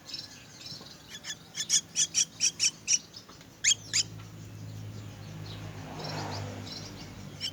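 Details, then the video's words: Myna chicks being fed, giving a short run of loud evenly spaced harsh high notes, then a pair of calls, followed by a low rumbling noise. "Feeding myna's chicks"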